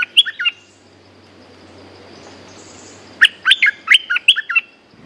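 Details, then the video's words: In 'sap dok' style, a local bulbul responds to a lure bird: three quick chirps, a long gap, then a lively phrase of about seven bouncing, liquid notes that rise and fall. "เสียงนกดอกแตงEp.192 แขวนเสร็จ เจ้าถิ่นสับดอกรับเลย!! Suara pikat merbah lekir gacor"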